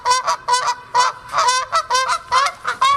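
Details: Canada goose honking: loud nasal two-part honks with strong harmonics, repeated in pairs about every half second, steady series without other sounds.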